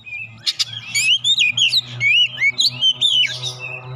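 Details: Oriental magpie-robin lure song for stirring birds into singing: a dense stream of varied whistles, slurred upsweeps and chirps at steady pace, over a constant low hum.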